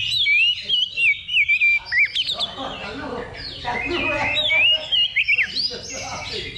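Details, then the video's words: Oriental magpie-robin at a level-two practice contest simulation before a real competition, singing bright wavering whistles followed by busy scratchy chatter and rapid notes, with men's voices nearby. "Simulasi Lomba Kacer Level 2 Tuk Latihan Sebelum Tanding"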